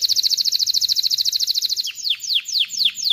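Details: Canary song to teach chicks singing and prepare females for mating: a quick, loud, regular high trill for about two seconds, then four steeply descending whistled sweeps.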